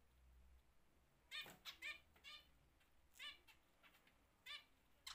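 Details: Zebra finches in a home breeding aviary give soft, nasal, repeated calls in small clusters separated by about a second, against a quiet, low background hiss.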